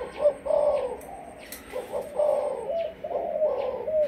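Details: Spotted dove of the Malaysian type, kept as a lure bird, coos in the sấm thổ manner: close, loud, hollow three-part phrases, the last note drawn out and slightly falling, repeated quickly.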